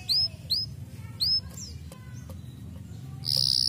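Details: Canary giving a few clear, high, upswept chirps spaced by brief gaps, then a short, loud, high trill at the end, over a low hum.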